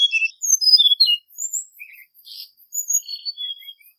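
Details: Hill blue flycatcher song used to lure birds into traps: thin, high descending whistles and quick chirps, fading in volume toward the end.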